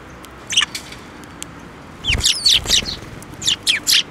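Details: Sparrows at a Tenmangu shrine on May 7, 2024, flying onto a hand to get food: short sharp chirps in scattered bursts, with a soft thump and wing flutter partway through.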